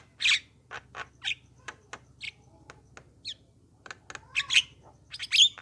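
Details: Javan myna singing, sound used to lure other mynas into answering: scattered sharp chirps, squawks and whistled notes at irregular spacing, with a low hum underneath.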